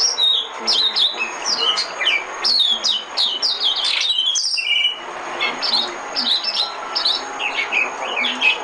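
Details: White-eye song played as a trapping decoy: rapid, dense twittering of high, sharply falling notes in two long bursts, separated by a brief pause.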